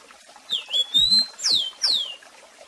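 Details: Tutor song of a rusty-collared seedeater in the Tico Tico do Café style, for song learning: a sustained, slightly wavering whistle, then two bright, down-slurred whistled notes about half a second apart, over a quiet background.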